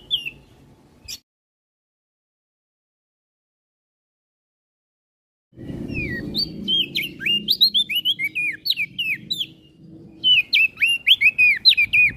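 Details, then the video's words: Olive-backed tailorbird song used as a master for training songbirds: after a long silence, rapid sharp high notes with downward twists resume in quick bursts, over a low rumbling background. "Burung Prenjak Daun Gacor Isian Pas Buat Masteran"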